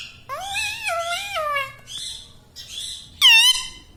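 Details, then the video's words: Household ringneck parrot utters "Mitthu"- and "Mami"-like speech as a long, sliding, moan-like word that falls gradually in pitch. Softer nasal syllables follow, then a sudden loud, bright rising call at the end. "Mitthu Mitthu Bolne Wala Batuni Tota - Talking Parrot"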